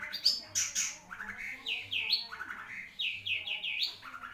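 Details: Long-tailed shrike, known as cendet, of the type called Marlboro: harsh, scratchy notes repeated in short runs, each one sweeping down then up, with brief pauses between the bursts.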